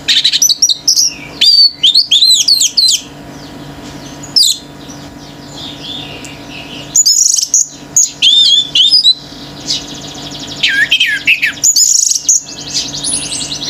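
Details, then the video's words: Orange-headed thrush male in heavy 'gacor teler' song provoking other birds: bursts of bright, warbling, sliding whistles and sharp chirps, broken by short pauses, with fast-repeated high notes near the end and a constant low hum. "ANIS MERAH GACOR TELER‼️BURUNG LAIN IKUT NGAMUK‼️"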